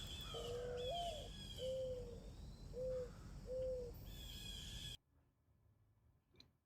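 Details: Mourning Dove, faintly heard by a dried pond in the East Tennessee foothills of the Smoky Mountains, gives low, hollow cooing: a longer rising-falling first note, then three shorter soft coos, with another bird's high chirps and steady hiss.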